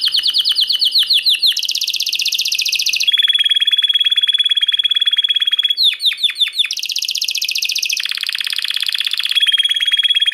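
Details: Timbrado canary with a yellow cap singing loud, continuous metallic rolls and trills at high pitch, shifting between bell-like tours and fast buzzy rattles, with brief descending chips between phrases.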